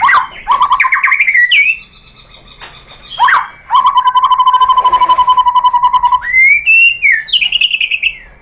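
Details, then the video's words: White-rumped shama in vigorous lure song meant to prompt other shamas to reply: varied whistled phrases, then a long rapid mid-pitched trill held for about two seconds, closing with bright slurred whistles. "MURAI BATU lain jadi NYAUT ikut BUNYI GACOR BONGKAR MATERI ISIAN ¦ PANCINGAN MURAI SHAMA BIRD"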